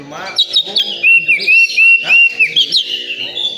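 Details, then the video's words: Oriental magpie-robin at a singing competition gives a run of loud, evenly spaced whistled notes that rise and fall, repeated about three times a second, over low voices and other faint chirping. "Suara kacer di area lomba"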